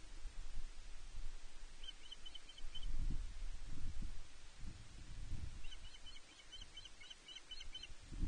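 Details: Female osprey fish-calling at Loch Arkaig Nest One, 31 May 2023, demanding fish from her mate: two bursts of short, high, chirping whistles in quick series, over steady low wind rumble from the nest camera.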